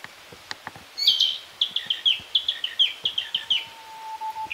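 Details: Narcissus flycatcher, Hyogo's northern Harima, singing in green foliage on a birdwatching stroll: after a few clicks, a long string of about a dozen crisp repeated whistled notes, then a faint steady low tone.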